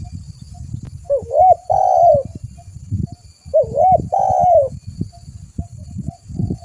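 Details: Energetic spotted dove (tekukur) recorded for luring birds: two matching phrases about three seconds apart, each a rising hooked coo then a longer mellow falling note, over steady low rumbling and knocking noise.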